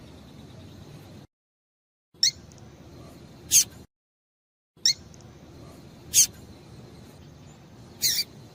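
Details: Thin, high chirps from a female Double-collared seedeater, used to get a male singing, come singly about every one to two seconds, with abrupt silent gaps cutting the recording.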